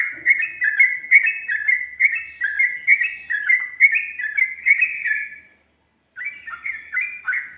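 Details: Sooty-headed bulbul singing in the rapid ropel style with ngikluk and garuda variations, recorded 2020: a fast, bubbly run of short warbled, slurred phrases, briefly silent for about half a second, then resuming with similar rolling notes.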